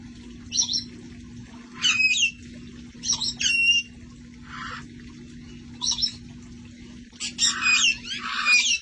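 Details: Parrots from a rescue flock relaxing outdoors before the cold: grating squawks with wavering harmonics in bursts, some softer lower chatter, and a dense volley of overlapping screeches near the end over a low hum.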